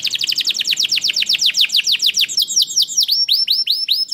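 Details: Gacor canary song meant to trigger singing in other canaries: a long run of fast, sweeping downslurred notes, slowing slightly into spaced chirps near the end.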